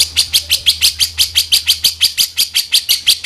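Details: Grey-cheeked bulbul (cucak jenggot) calling in the 'kasaran' rough style for a tutor recording: a clean, steady train of hoarse, rasping notes, roughly three per second, with a faint low hum beneath.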